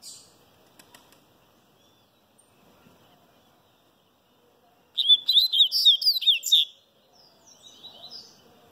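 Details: Sooretama seedeater (papa-capim baiano) sunbathing: faint rustling at first, then a sudden loud burst of rapid, sweet twittering notes lasting under two seconds, followed by soft quiet chirps.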